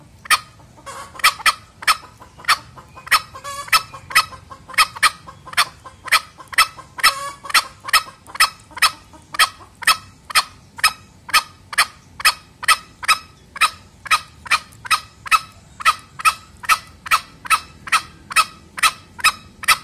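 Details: Male green junglefowl gives a fast, steady run of short, sharp clucking notes, about two each second; a lure call used for hunting or training junglefowl.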